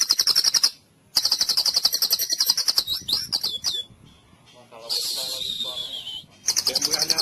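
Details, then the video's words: White-rumped shama in full cililin song, a recording used to train other birds: long, rapid, high-pitched trills of about four notes a second, broken by brief silences and a few slurred whistles. "MASTERAN MURAI FULL CILILIN"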